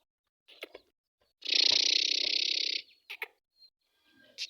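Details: Caged first-season young male Black Francolin calling in weak sunshine during a foggy Punjab winter: one harsh, buzzy, grating note lasting about a second and a half, with a few short clicks and taps before and after.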